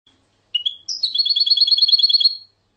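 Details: European goldfinch song: a short high note, then a bright twittering phrase of rapid, evenly repeated liquid notes lasting about a second and a half, with no other sounds.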